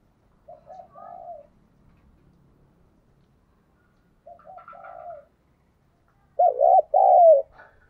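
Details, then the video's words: Spotted dove decoy in 'thổ' voice, cooing to lure wild doves. Soft coo phrases repeat with long pauses, then a loud, emphatic double coo closes the sequence. "Chim cu gáy mồi chuẩn thúc & gáy gọi kích bổi nhanh nổi hiệu quả"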